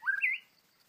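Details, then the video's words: Angry white-rumped shama, a trapped wild bird, gives a short whistled note sliding up in two steps, lasting under half a second. "Birds White-rumped shama: Trapping A Angry Bird, Birdsong Chirping In The Wild"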